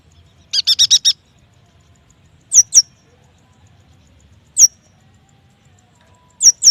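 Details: Yuhina song used to draw young, freshly caught or quiet yuhinas into singing: a quick burst of high, rattling chirps followed by sharp, thin notes that slide steeply downward, mostly paired, recurring every two seconds.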